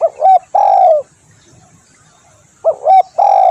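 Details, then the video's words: Spotted dove cooing for luring: a short rising coo, then a longer falling one, a second of quiet, then the same two-part phrase again. "SUARA tekukur di jamin ampuh cocok buat pikat/masteran"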